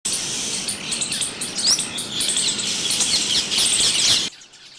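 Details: Oriental magpie-robin in India: a dense, unbroken stream of high chirps, sweeping whistles and twitters that runs for about four seconds and then cuts off abruptly, leaving quiet background.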